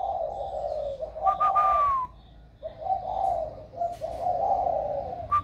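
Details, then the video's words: Young hand-reared spotted dove, about one year old and only beginning to coo, warm 'thổ' voice. Two long phrases of deep, smooth cooing are split by a short pause, with high falling notes between them. "Cu gáy mới nổi giọng ẤM"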